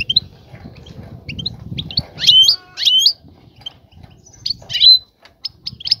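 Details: Female European goldfinch ready to breed, calling the male to attract him and prompt mating and nest building; a pair of loud ringing twitters, then thin high chirps and one bright whistled note, over faint low noise.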